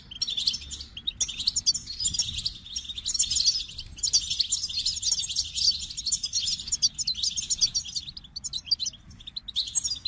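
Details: Long, sustained goldfinch song: rapid high twittering and tinkling trills pouring out almost without break, with brief quieter gaps and faint clicks beneath the bright chatter.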